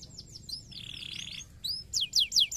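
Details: Canary song meant to stimulate other canaries to sing: rapid rolls of falling whistled notes, a steady buzzy trill in the middle, then loud, sharply descending sweeps repeated about five times a second.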